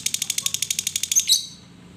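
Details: Lovebird chattering song, known as ngekek, played to prompt other lovebirds to sing: a fast, even string of about fifteen sharp high chirps, then two brief squeaky notes before quiet.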